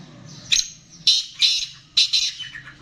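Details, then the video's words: Black francolin of the Gangas strain, a captive bird, gives a harsh grating call: four loud rasping notes, the last two run close together, over a faint low hum. "Kala Teetar Gangas Nasal Black Franclion Voice"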